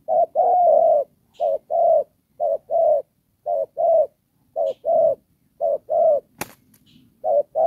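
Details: Spotted dove kept as a ground decoy for trapping, Đồng Pha style: repeated short-long coo pairs at a steady pace, with a single sharp knock near the end.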